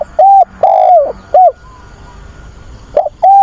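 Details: Decoy spotted dove calling for a mate: the end of a cooing phrase with a long falling coo and a short note, a pause of about one and a half seconds, then the next phrase begins.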